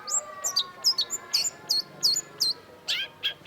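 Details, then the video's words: Long-tailed shrike singing for training songbirds: a lively series of sharp, high, hooked chirps repeated roughly every third of a second, ending with a few rasping, scratchy notes. "cendet gacor WAJIB PUNYA !! KOLEKSI MASTERAN CENDET || Long-tailed Shrike"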